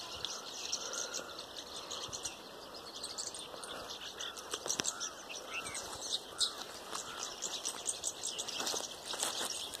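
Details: Hundreds of mynas spotted on a tree keep up a dense, continuous chatter of harsh squawks, clicks and short whistles, with many overlapping voices and constant high-pitched hiss.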